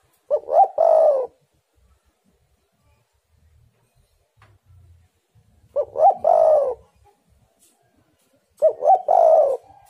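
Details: Spotted dove lure call: three separate phrases, each two quick hoots and a sustained coo, spaced roughly four seconds apart. Faint soft knocks can be heard between phrases.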